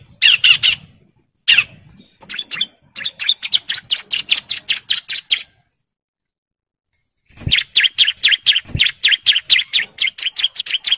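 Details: Male bar-winged prinia in breeding condition singing long 'ngebren' bursts to call females: fast, even trains of sharp chips, several per second, split by a silent gap of about two seconds, with a few harsher notes at the start.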